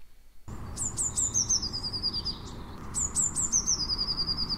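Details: Eurasian blue tit (Cyanistes caeruleus) song: a few high, thin introductory notes followed by a fast, descending trill, given twice in quick succession.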